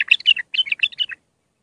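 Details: Short, rich warble from an Iraqi bulbul in raw Mandali style, meant for tutoring young birds; a burst of liquid, rolling notes lasting about a second.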